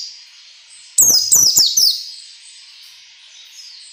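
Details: A white-eye sings a training-style ngalas nembak phrase: a rapid cluster of four very high, sharp, downward-sweeping notes within one second, set over a soft, steady, high background twitter.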